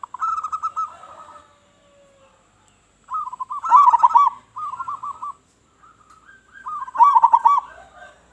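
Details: Loud local zebra dove calling to attract other doves: three bursts of rapid rolling coos a few seconds apart, each building to louder bubbling notes.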